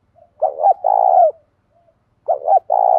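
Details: Spotted dove kept as a decoy, giving a 'thổ pha' fight-provoking call: two clipped notes followed by a drawn-out vibrating coo, repeated twice about two seconds apart, with a faint soft note in between.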